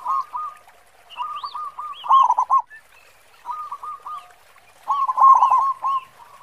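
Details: Local zebra dove singing with a strong 'khong' voice: four separate phrases of rapid, warbling coos spread across the recording, each rising in loudness, with soft high chirps from other birds.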